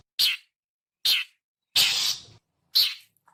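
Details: Long-tailed shrike (cendet) giving its typical lure call: three short harsh chacks spaced under a second apart, with one longer rasping note about half a second long between them.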